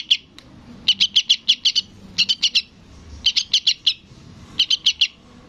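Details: Young sooty-headed bulbul begging from its parent: quick strings of four to six bright, sharp chirps in about five bursts over five seconds, against a clean backdrop.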